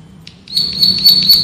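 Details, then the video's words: Male bar-winged prinia, known as prenjak sawah, delivering dense rapid-fire ngebren trilling for a bird-training master track. A short high chip opens, followed by an unbroken high-pitched rattling trill. "MASTERAN BURUNG PRENJAK SAWAH GACOR, NGEBREN TEMBAKAN RAPAT SUPER ISTIMEWAH"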